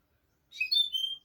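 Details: A single phrase of the note sung by a European goldfinch for tutoring young goldfinches: a brief burst of high tinkling notes sliding into a sustained descending whistle.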